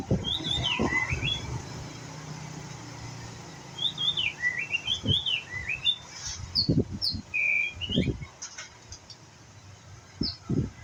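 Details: Young white-rumped shama learning to sing: short whistled, slurred phrases of rising and falling notes come in scattered bursts, with low thumps and handling knocks between them.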